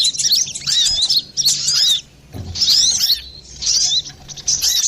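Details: Brown-throated sunbird, described as lively and clear-voiced, used to lure or train other birds: thin, very high twittering in four or five bursts, each about a second long, with short silent gaps between them.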